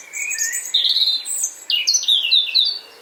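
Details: European Robin breeding song, more robust than its autumn song, in a Hampshire, UK garden: a rich, varied run of high, thin whistled phrases and quick trills, some sliding down, others rising, with brief pauses.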